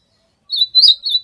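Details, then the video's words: Ultramarine grosbeak (azulão) singing a short fragment of three sustained, slightly wavering whistled notes at a steady pitch, the middle note loudest. "ESQUENTE O SEU CANTO DO AZULÃO"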